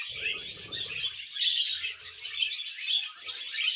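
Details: Budgerigars during mating and breeding: a dense, continuous warbling chatter of overlapping chirps and squeaky notes, with brief low knocks and rustles near the start.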